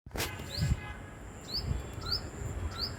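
A tailorbird gives short, high, upslurred chirps about every two-thirds of a second over a steady low rumble of background noise.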